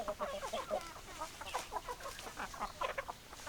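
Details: Hens cluck rapidly in a dense, chattering flock; short nasal notes tumble over one another with no pauses throughout.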